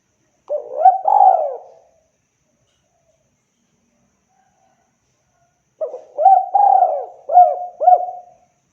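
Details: Spotted dove calling for luring, two cooing phrases a few seconds apart, the second with a long coo followed by two short hooked notes, otherwise quiet.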